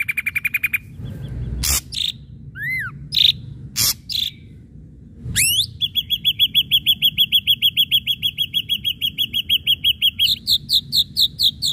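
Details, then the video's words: Ashy drongo singing in varied bursts: short buzzy notes, harsh broadband chips, a falling whistled slur, then a long fast run of clipped whistled notes repeated rhythmically, ending in a higher-pitched series; low background rumble. "srigunting abu abu gacor"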